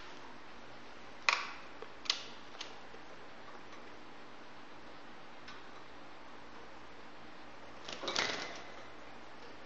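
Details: A few sharp clicks and taps, then a soft rustling burst, in an otherwise quiet indoor room.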